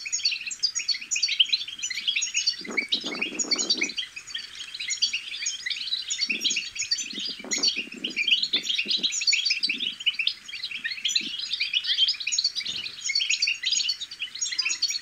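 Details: European goldfinch chicks in continuous chatter used to stimulate singing: a long, dense stream of sparkling, rapid chirps and twitters from many voices, with scattered low thuds and rustling around three and eight seconds.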